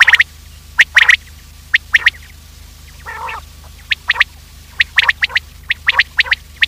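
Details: Morning quail lure calls used by hunters to attract quails: crisp, clipped notes repeated in loose clusters, with one longer grating note midway, against quiet background hum.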